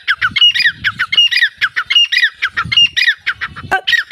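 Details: Grey francolin producing a loud chattering series of harsh, ringing notes in quick succession, with occasional low thumps and a brief sharp rising note near the end.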